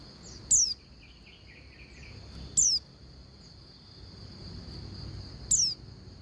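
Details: Oriental white-eye female calling the male: three high, downward-sliding whistles spaced unevenly, with soft twittering notes between them and a steady high hum in the background.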